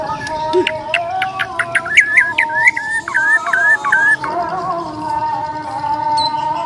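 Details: Bornean white-rumped shama fighting song: clear repeated whistled notes with short upward flicks, delivered in a regular series for about four seconds, then quieter, over a steady background hum.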